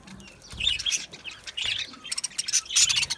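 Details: Budgerigars chirping: dense bursts of bright, high chirps and short squeaks overlapping from several birds, louder toward the end, with soft low thumps underneath.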